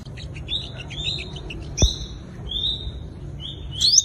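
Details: Sunbird, the five-colour sunbird of Vietnam, singing its fighting song as a trapping lure: thin drawn-out whistles and chips spaced apart, one sharp knock midway, ending in a rising high trill.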